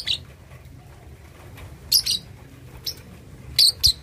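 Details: Two-and-a-half-month-old lovebird learning ngekek chatter, used to goad rivals: brief piercing chirps, mostly doubled, spaced irregularly after a quiet opening, over faint low hum.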